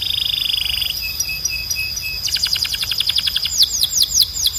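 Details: Belgian canary training song. A fast buzzy rattle gives way to evenly spaced soft pips, then a quick trill of sharp notes and a run of falling swoops, over a steady thin high tone.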